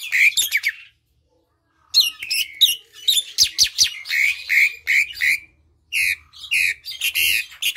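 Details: Song of the Asian pied starling, played to encourage quiet birds to sing. A long, lively sequence of rasping chatters, squeaks and whistled notes in quick bursts, with one clear pause near the start.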